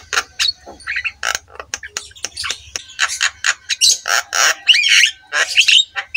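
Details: Varied Javan myna song offered as a master for training other mynas: short sharp clicks and squawks at about a hundred per minute, building to louder buzzy phrases and wavering whistles.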